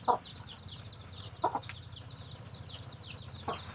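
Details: Chicken finding food for its baby chicks: loud, abrupt low clucks, one, then a quick double, then another, with the chicks' high, thin, downward peeps running continuously behind.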